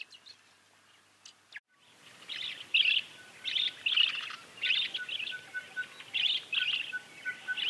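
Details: Bronzy hermit, a tropical hummingbird, calling in a rapid series of high, buzzy chirps after a quiet start, with a faint steady tone underneath.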